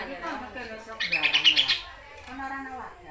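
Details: Actively singing songbird known locally as kaso-kaso, kidangan or tepus glagah, used as a tutor recording for training other birds: a fast buzzy trill of rapid repeated high notes for under a second, preceded and followed by lower harmonic sounds.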